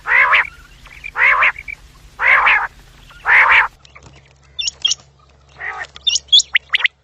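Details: Quail calls from a morning and evening recording used to lure quails: four loud raspy, nasal bursts about a second apart, then softer scattered high chirps and a fainter rasp.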